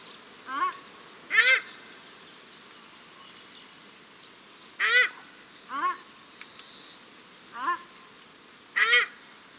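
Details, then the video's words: Male and female paradise shelducks calling at Cornwall Park, Auckland, New Zealand, exchanging about eight honking calls in pairs, softer upswept notes answered by louder harsh ones, against faint background hiss. "Paradise Shelduck Calls"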